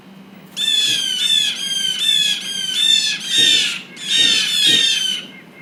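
Blue Jay giving harsh, raspy jeer calls in quick runs, its mobbing call against a predator.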